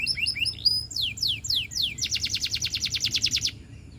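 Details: Russian canary singing: rising chirps, then a run of down-slurred whistled sweeps, then a fast even trill of about fifteen bright notes lasting over a second, all high-pitched.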